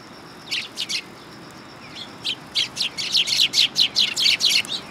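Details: Sparrows on a perching stand at a Tenmangu shrine, 3 September 2022, start with a few chirps, then give a rapid excited series of loud chirps, roughly four per second.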